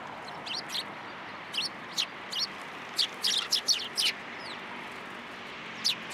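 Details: Sparrows coming to a pillar to take food at Tenmangu shrine on 7 January 2023: bright, high, short chirps in quick bursts of two or three, scattered across six seconds over a soft, steady background hiss.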